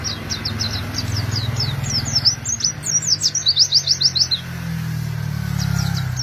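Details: Oriental white-eye song played to attract wild birds: rapid high-pitched chirps, each slurring downward, run on for over four seconds, then a short pause and a few more notes, over low engine-like rumble.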